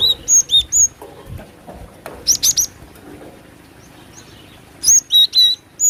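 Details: Female Java sparrow calls used to lure birds: short high whistled notes in small clusters, some paired, with quiet gaps and faint background knocks between bursts.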